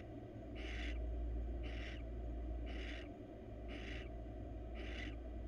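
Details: A wild female barn owl crawling in her nest box looking for attention utters five harsh hissed screeches, about one per second, with steady low hum underneath.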